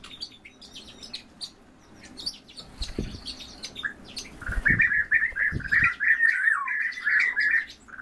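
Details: Two orioles in a bird-keeping setting calling together as a duet: after a quiet start with scattered chirps and a few low thumps, a run of harsh, squawky notes repeats rapidly for about three seconds.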